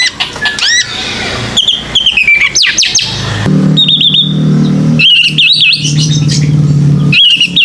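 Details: White-rumped shama lure song meant to prompt young birds to sing: sharp whistled upsweeps and wavering whistles broken by clicks, over a noticeable low humming background.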